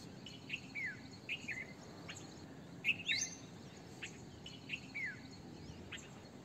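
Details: Chirping red-vented bulbul: crisp downward-slurred notes repeated in pairs and triplets, one louder rising sweep near the middle, with quiet hiss behind.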